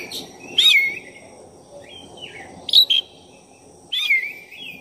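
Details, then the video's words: Black-breasted variant of oriental magpie-robin, played to rouse another bird's temper: separated whistled phrases, each a bright rising-falling slur with a shorter buzzy tail, repeated about every one and a half seconds over a low steady hum. "Pancingan suara kacer dada hitam gacor efektif buat menaikkan emosi Kacer"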